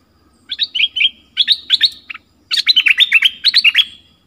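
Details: Loud, clear dok taeng bird song from a 2020 training recording for young birds: two short chirping phrases followed by a longer fast run of sharp notes and downslurred whistles.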